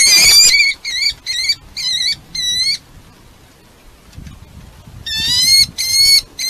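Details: At a nest in Polgár, Hungary, watched by a live camera, a red-footed falcon with its family gives loud, rapidly repeated harmonic calls in two bursts, separated by a quiet pause with soft background rustling.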